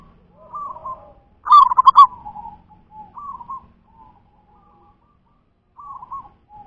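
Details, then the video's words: Local wild zebra dove singing: soft rolling, trilled coos, with one loud burst of pulsed, bubbling notes in the middle and quieter cooing phrases spaced a second or more apart, in a quiet setting. "Suara perkutut lokal"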